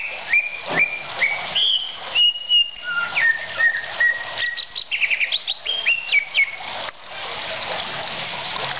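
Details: Greater green leafbird, a caged bird kept as a song tutor and contest prospect, singing a loud varied string of clear whistled notes, sliding up and down and held briefly, with quick chattering phrases, over constant background hiss.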